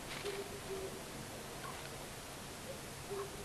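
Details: Long-eared owls, a male and a female, visiting a Common Buzzard nest watched by a solar-powered live nest camera at Tiszavasvári, Hungary, on March 23, 2022. Short, low, soft hoots come two close together, then a third after a pause, over steady background hiss.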